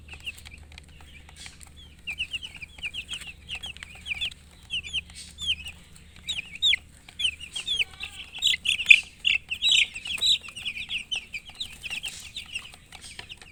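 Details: Chicks of the domestic hen chirp busily, with thin high peeps at first sparse, then crowding into a rapid, excited chorus that peaks midway before easing off, over a faint low hum.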